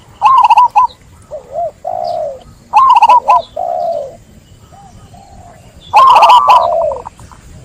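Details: Zebra dove repeating bubbly staccato coo phrases about every three seconds, each followed by softer, lower wavering coos, with a final louder burst blending into a drawn-out note.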